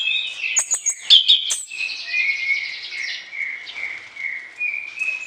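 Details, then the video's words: Energetic orange-headed thrush song with varied fill-in phrases, sung as a tutor for other songbirds in morning and evening: quick sharp ticking notes open, followed by a sustained buzzy, slurred whistling warble. "ANIS KEMBANG GACOR DOOOR, VARIASI ISIAN, COCOK UNTUK MASTERAN DI PAGI HARI DAN SORE"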